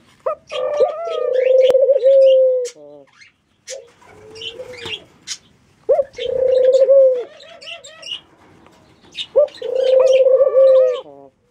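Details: Mourning dove repeating long, low, hollow coos every few seconds while small birds twitter and chirp busily at higher pitch around it.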